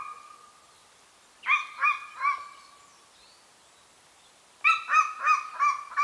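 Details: Golden eagle in the remote Carpathian mountains of Northern Romania, at a nesting site; two bursts of sharp yelping notes, three then five, separated by a few seconds of quiet.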